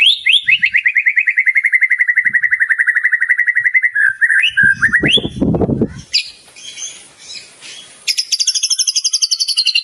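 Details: Murai batu in energetic song with imitated phrases for tutoring: a long level rapid trill, a burst of low rumbling noise mid-way, then a very high, fast chattering series.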